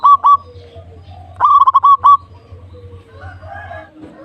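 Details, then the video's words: Zebra dove (local perkutut) in lively song. A short double coo opens, then a rapid stuttering run of soft cooing notes ends on a sustained coo. Faint warbling from other birds and a low hum follow. "Perkutut Lokal Gacor"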